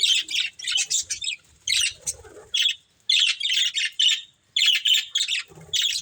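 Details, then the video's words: Pet budgerigar breeding pair: clusters of rapid high chirps and buzzy warbles in bursts of one to two seconds, separated by brief quiet pauses. "Beautiful Budgies Chirping Sounds"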